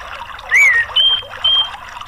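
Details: Orange-headed thrush (Geokichla citrina), played as a lure to prompt a silent bird to sing: a slurred rising-then-falling whistle, then two clear, level high whistles, over a steady trickling-water hiss.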